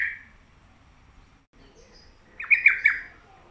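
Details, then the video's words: Sooty-headed bulbul singing actively, giving a short bubbly phrase of three quick, slurred, fluty notes near the end after a long quiet stretch, with a faint low hum underneath. "Pokoknya Cari Trucuk yang Gacor"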